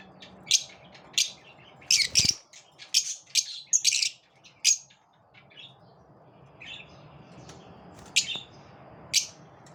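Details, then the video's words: Lovebirds having a competitive moment, with scattered sharp, high, squeaky chirps coming in irregular clusters and a quiet gap in the middle, plus a brief low knock. "Love birds also have competitive moments"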